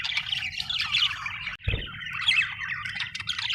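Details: Happy budgies chirping in a dense, continuous chatter of squeaky, warbling notes and short squawks that overlap throughout, with a brief low thump midway.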